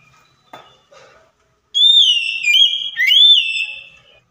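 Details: Oriental magpie-robin (kacer) lure song for a silent bird: a couple of faint clicks, then a bright whistled phrase of long gliding notes broken by quick downward slurs, lasting about two and a half seconds.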